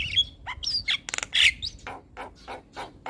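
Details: Javan myna song meant to prompt a reluctant bird to sing: a few sliding whistles and a buzzy rattle, followed by a series of evenly spaced harsh chack notes.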